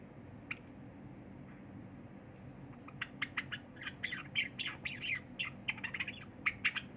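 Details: Pet cinnamon Java sparrow singing, recorded 23 January 2021: a few isolated clicks at first, then a quickening run of sharp clicks that grows into bell-like, warbling notes in the second half, steady low room hum underneath.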